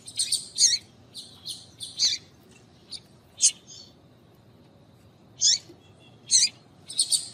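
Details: Clusters of high, buzzy chirps from a female Double-collared seedeater, used to excite males so they sing, come in quick groups with a pause midway, then resume in spaced bursts.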